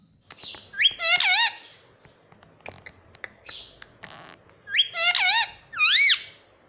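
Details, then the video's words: Talking parrot (mitthu), said to say 'mummy papa', giving bright, rising and wavering squawk-like syllables in two bursts, a cluster early and a pair late, with soft clicks and rustles in the pause between them. "Parrot talking mummy Papa"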